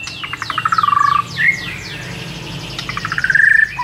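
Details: White-rumped shama masteran material used to provoke a rival response: rattling trills, a series of descending buzzy sweeps, a short rising whistle, then another trill that swells and fades.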